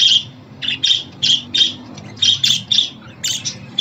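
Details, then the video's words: Pet budgerigar calls for male and female budgies: scratchy squawking chirps spaced roughly every third of a second, uneven in rhythm, over a low murmuring hum. "Muhabbet kuşu ötüşü, muhabbet kuşu çağırma sesleri!"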